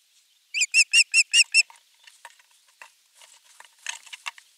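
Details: Osprey at a Finnish camera nest (nest 3) on the morning of 23 June 2020, with a half-kilo crucian carp as the morning fish; six rapid shrill whistles, then quiet rustling and scattered soft notes.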